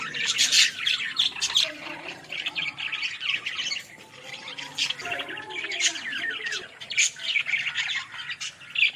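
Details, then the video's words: Flock of Australian parrots in a village setting, continuous overlapping warbled chirps and short harsh squawks, busy and unbroken throughout. "Australian parrot original sounds"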